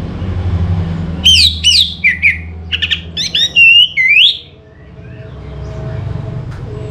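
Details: Orange-headed thrush singing a loud burst of varied whistled notes. Some are sharply falling, others are buzzy clusters, and the burst ends in a long rising slur. Then the song stops, leaving only a low hum.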